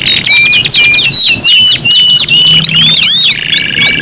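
Canaries in a dense, layered song of fast whistled sweeps and rolling trills, high-pitched and continuous, with several voices overlapping.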